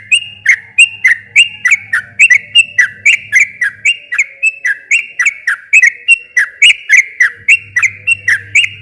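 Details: Sooty-headed bulbul song meant to stimulate a stalled bird and draw it into singing. Long unbroken series of bright, clipped, slightly downslurred notes, about three or four per second, over faint low humming.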